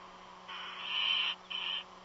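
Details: A nest-dwelling bird, not an eagle, gives a long rising hissing screech followed by a shorter rasp; constant low hum underneath.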